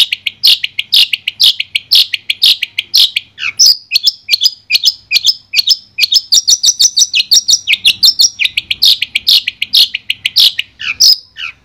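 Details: Long-tailed shrike song for a shrike that has stopped singing, used as sound therapy; varied, jumbled high chirps and short whistled phrases follow one another quickly, some rising and some falling.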